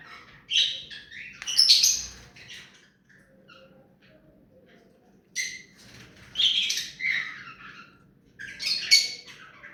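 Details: Hand-tame pet rose-ringed parakeet giving three loud bursts of harsh, high chattering calls, with quiet pauses between them and a faint low hum in the room.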